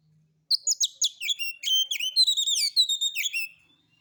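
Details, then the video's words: Relaxed Oriental magpie-robin song used as a lure to make other birds sing, rough-style material: a three-second run of quick sharp chips leading into a chain of bright whistled sweeps, clean with no background sound. "Pancingan Suara Kacer Santai; NGEPONG NGEPLAY SENDIRI MATERI KASARAN"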